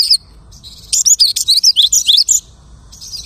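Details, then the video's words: A lark copying other birds' singing: a single short burst of rapid, high, twisting chirps and whistles lasting about one and a half seconds, with faint quieter notes before and after. "The lark imitates the singing of hundreds of birds."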